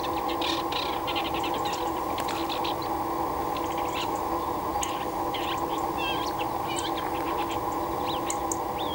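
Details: Isabelline shrike at Marjal d'Almenara, a wetland. Short, sharp chirps and quick varied notes are scattered throughout, some rising, against a steady, loud background hum.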